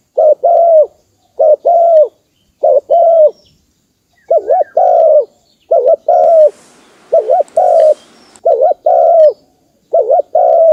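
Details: Lure call of a spotted dove used for bird trapping: about nine paired coos, each a short wobbling note followed by a drawn-out falling coo, delivered in a steady run with a brief hiss of noise near the middle.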